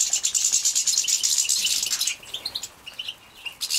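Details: Young European goldfinches bred in captivity, Poland, 2017, being fed: a loud, sustained, shrill wheezing beg for about two seconds, followed by sparse, high, tinny chirps.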